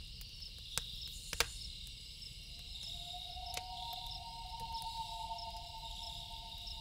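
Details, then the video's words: After a few silent seconds with campfire crackles, a loon at night begins a long, smooth, haunting wail that slides slightly upward and holds steady to the end, over a constant high insect hum. "Loon Calls With Campfire Sound"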